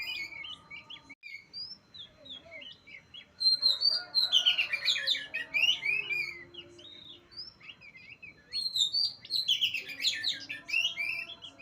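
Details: Oriental magpie-robin recorded in Utan Kayu, Matraman: soft scattered chirps give way to two strong bursts of rapid, varied whistling and chattering, loud and high, separated by a brief quieter spell with a low hum.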